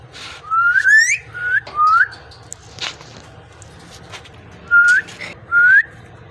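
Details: Parrot, described as speaking, whistles short upward-sliding notes in small groups, four in the first two seconds and two more near the end, separated by soft clicks and quieter noise.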